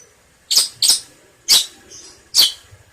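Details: Long-tailed shrike calling on a recording meant to train cage birds: four harsh, rasping bursts, two close together, then two more spaced out, against quiet surroundings.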